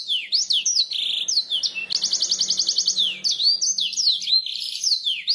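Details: Canary song from a training recording to make birds sing: swooping whistled notes, then a bright rapid rolling trill lasting over a second, followed by more sweeping and warbled phrases.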